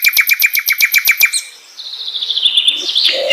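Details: Flycatcher (sikatan londo) song opening with a fast series of sharp repeated chip notes, about eight per second, then a thin sustained high whistle and a final rising twitter.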